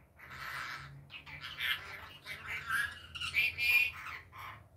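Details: Rainbow lorikeet calling in daytime, a kept bird: near-continuous harsh, raspy screeches and chattering squawks with brief shrill whistled notes, rising and falling in loudness over a low background hum.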